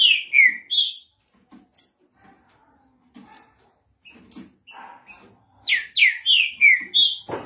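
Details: Green-winged saltator (Saltator similis), song.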